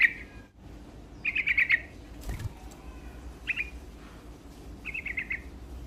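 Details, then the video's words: Sooty-headed bulbul in spirited song aimed at provoking opponents. Four rippling, bubbly phrases, some short and some longer, come with irregular gaps, and a dull thump sounds midway. "Suara Burung Trucuk Gacor Dongkrak Emosi Lawan"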